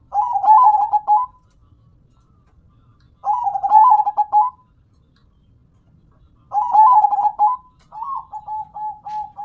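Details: Perkutut lokal, a local zebra dove, in full song: three loud staccato cooing phrases roughly three seconds apart, the last trailing into an even run of softer clipped coos, otherwise quiet.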